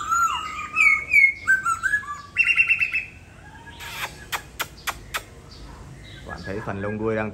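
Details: Bright slurred whistles and a trill from a caged laughingthrush at home in Hà Nội, Vietnam, tail molting, followed by sharp clicks and a low rattling note.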